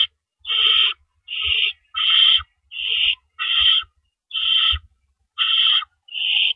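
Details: Nest of owls before dawn on April 4, 2012, adults delivering and removing rabbits; rasping hissed screeches, each about half a second, come in a steady series about once a second, with soft low knocks between.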